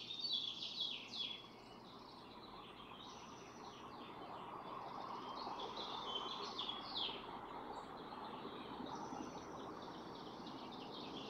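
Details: Barn swallows swapping incubation duty at a nest of four eggs; bursts of quick squeaky twittering repeat across eleven seconds, clearest at the start, over a steady broadband background rumble.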